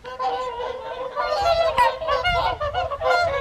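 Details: Whooper swans calling at the Folly Pond evening feed, WWT Caerlaverock, January 2023: sustained, reedy trumpet notes overlap in a busy chorus, with soft low rumble underneath.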